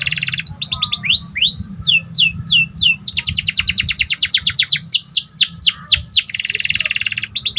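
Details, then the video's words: Actively singing symmetrical Panda canary, song aimed at raising excitement in other canaries: fast series of falling whistles alternating with rapid rattling trills, over a faint low hum. "Meningkatkan Emosi Dengan Kicauan Burung Kenari Panda Gacor"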